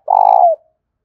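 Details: A single sustained spotted dove coo, low and rapidly pulsing, which sinks slightly at the close. It is played to stimulate cooing and train a decoy bird.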